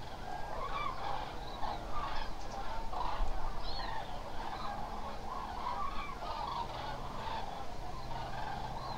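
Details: Large flock of Eurasian common cranes at Hula Nature Reserve, Israel, a wetland of lakes and marshes, in late October gives overlapping loud, rolling bugling calls, many birds at once, over a steady low rumble.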